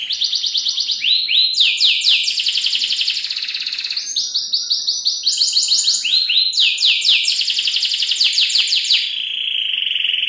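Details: Local canary singing a long, luxurious-style training song meant to tutor other songbirds: fast rolling trills of rapid repeated notes, high and bright, shifting between pitch levels every second or two, with a few sweeping slurred notes and a steady tone at the end.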